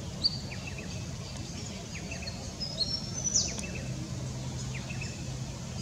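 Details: A Mistletoebird gives thin, very high, short sharp chirps scattered irregularly over a steady low rumble of background noise; Hervey Bay, Queensland, Australia.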